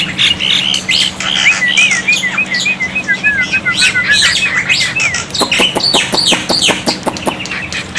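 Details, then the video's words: Black-winged myna song used as a tutor for birds that have gone quiet: a chain of wavering whistled notes, then sharp clicking and harsh rasping bursts, over a faint low hum. "masteran burung jalak putih, jalak putih macet pasti nyaut"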